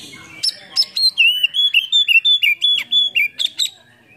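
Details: Oriental magpie-robin lure song full of fill-in phrases, the bird spreading its tail in a cobra-like display, played to rouse quiet or lazy birds into singing. Loud clear whistles in quick slurred and rising phrases, about three per second, with sharp high notes.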